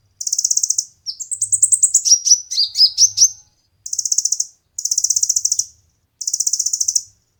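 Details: Konin tutor song for competition birds: a short buzzy trill, a descending series of slurred whistles and chips, then three further evenly pulsed high trills separated by brief silences.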